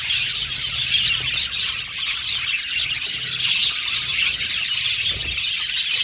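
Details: Australian budgerigar colony in an aviary: dense, continuous high chattering and chirping from many birds at once, with squawky notes woven through an unbroken wall of sound.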